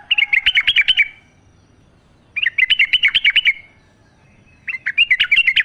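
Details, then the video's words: Forest-singing yellow-vented bulbul, natural sound for prompting captive bulbuls: three quick bursts of rippling, chirpy notes roughly a second long, with gaps of over a second between them. "trucuk gacor ngalas full suara alam"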